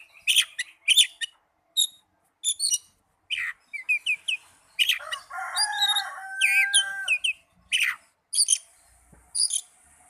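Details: Oriental magpie-robin singing, offered as therapy for young or silent birds: scattered sharp chirps, then a longer varied phrase with held whistles and warbles, followed by more spaced single notes.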